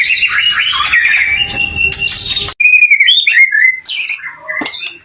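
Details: A white-rumped shama sings to stir other shamas into answering: a noisy run of mixed chattering notes, a brief break, then clear slurred whistles and sharp high chips.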